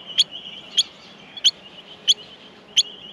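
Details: Australian miner chicks being fed in their nest: five bright, high chips spaced roughly every two-thirds of a second over a constant faint high-pitched hiss.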